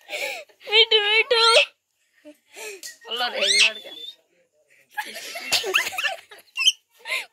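A parrot chatters in short, squeaky speech-like bursts with rising and falling pitch and giggly notes, scattered over about seven seconds with pauses between.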